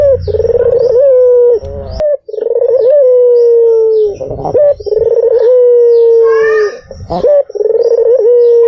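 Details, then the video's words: Lure recording of a white dove. Rhythmic coos, each a fast rolling purr that eases into a long, gently falling hum, repeat steadily with brief rough breaks between them and a soft click near the start. "SUARA BURUNG PUTER PUTIH || PANCINGAN PALING AMPUH || SUARA BURUNG PUTER MERDU"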